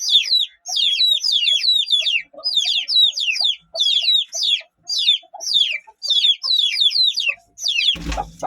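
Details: Aseel chicks give a loud, high-pitched peeping: sharp descending whistled notes in rapid runs of about five to eight, burst after burst roughly every second, with brief gaps between runs and a short knock at the end.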